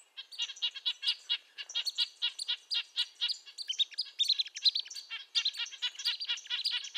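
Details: High, nasal tooting of Red-breasted nuthatch, repeated notes a bit over two per second, irregular spacing, joined midway by thinner higher squeaky notes.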